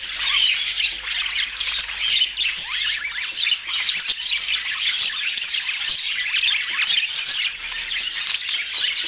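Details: Pet budgerigars in Portland chattering without pause, a dense stream of high, scratchy chirps and warbled twitters layered over one another for the whole stretch, with no other clear sounds.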